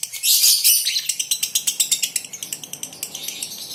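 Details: Lovebirds in a colony, including a 'konslet' female: a loud opening burst of shrill chatter followed by a steady, rapid run of sharp high ticks.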